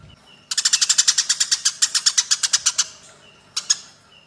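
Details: Eurasian tree sparrows in a fight: one long, fast run of about twenty harsh, piercing chirps lasting over two seconds, then a brief pair of chirps and soft thin notes.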